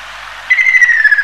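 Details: Ruddy kingfisher calling: a short burst of a clear, trilled whistle that holds high and then slides slightly downward, its pulsed rhythm audible over faint background hiss.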